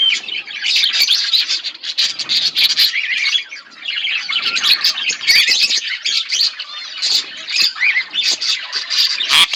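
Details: A pair of budgerigars (Melopsittacus undulatus) chatter continuously in a dense run of high warbled chirps, squeaks and scratchy squawks with no pause.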